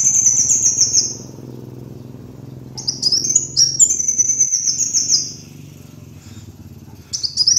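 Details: Kolibri wulung sunbird lure recording for bird trapping: high, thin twittering phrases of sharp sliding notes, one burst, a pause, then several more bursts, over a steady low hum.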